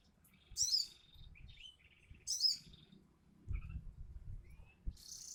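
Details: Crimson sunbird singing in a lively, chattering style: two piercing high twittered bursts nearly two seconds apart, soft thin whistles between, a low thumping noise midway, and another shrill burst at the end.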